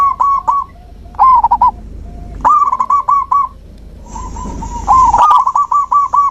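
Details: Zebra dove singing, played to coax a silent dove back into song: repeated bursts of quick rolling coos, each phrase a rapid string of bubbly notes, with a faint hiss between phrases.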